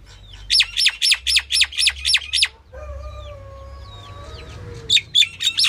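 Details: Female common myna, or Indian myna, calling: a run of seven harsh, clipped notes about three per second, then a pause with a long, low, steady tone and faint chirps, before a final burst of rapid harsh notes.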